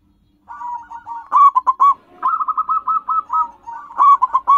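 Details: Local zebra doves used to lure wild birds: soft cooing, then loud stuttered coos and a long purring trill of evenly spaced notes, another bird calling over it at the end.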